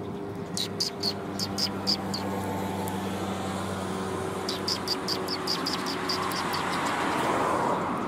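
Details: Sparrows on a shrine approach coming to be fed, March 2021: two runs of quick, high chirps separated by a pause, over a low droning background and rising noise at the end.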